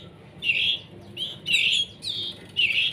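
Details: Begging from young canaries during hand-feeding, still dependent: five harsh, drawn-out buzzy chirps at irregular intervals, about one per second.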